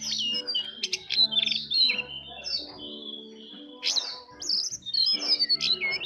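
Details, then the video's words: Soft twittering ngeriwik halus song of the jongkangan bird: fast high chirps and thin sliding whistles in dense runs, pausing briefly near the middle, with a faint low hum beneath. "Jongkangan gacor Ngeriwik Halus"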